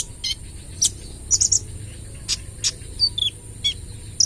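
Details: Sunbird (kolibri ninja, 'trotol') in lively lure song: piercing high chips spaced about every half second, some in quick pairs, plus short slurred downward whistles, over a faint continuous high hiss.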